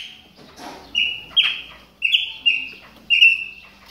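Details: Chopi blackbird warming up during moult: loud, clear whistled notes with abrupt starts, five short flat whistles spread over about three seconds, some in quick pairs, over a faint background hiss.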